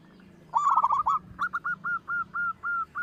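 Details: Zebra dove, a local bird with a strong voice, used as a lure so other birds sing. A brisk rattled burst of coos, then about eight clear, evenly spaced short coos at a steady pace.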